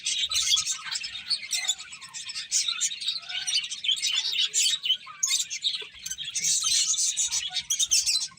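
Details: A group of eating finches keeps up continuous bright, twittering chirps that rise and fall in loudness, with a few faint low knocks.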